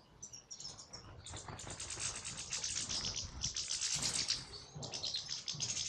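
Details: European goldfinch singing in an aviary: a fast, high, tinkling twitter of thin chirps and trills that runs on continuously and grows louder midway, over a low rumbling background.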